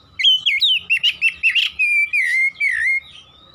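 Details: Oriental magpie-robin singing in the persistent rapid-fire 'nembak' style: loud whistled notes around high pitch, bending and looping, in quick bursts for about three seconds, ending in longer slurred whistles, with a faint steady hum behind.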